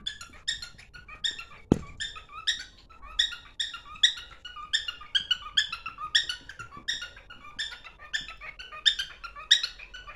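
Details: Cockatiel kept as a pet, singing while running to its mate: continuous chattering of squeaky harmonic chirps about twice a second, one sharp knock near the start.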